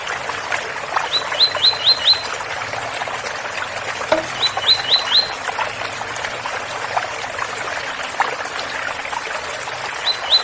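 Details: Double-collared seedeater of the Ouro Fino style singing the tui-tui song with a trickling water sound; short bursts of four or five rising whistled notes, repeated three times, over steady running water.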